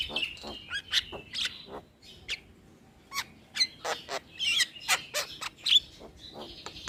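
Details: Young starling singing in a training recording: squeaky whistles and harsh clicks in quick irregular bursts, with a short pause before a livelier run of chattering notes.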